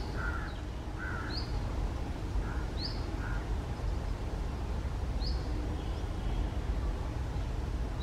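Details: Red-breasted parakeet perched on a treetop in early summer afternoon: paired short harsh notes early on, followed by sharp high rising chirps spaced about two seconds apart, all over constant low-pitched environmental rumble.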